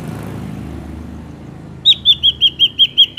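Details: Ashy drongo in the wild, used as lure sound for catching drongos: after a second of low traffic noise, a rapid series of about eight identical clear whistled notes, evenly spaced roughly five per second.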